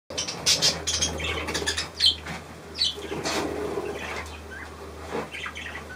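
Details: Three hand-tame cockatiels with their keeper: short, high squeaky chirps and a few brief whistled notes, scattered among loud wing flapping and rustling.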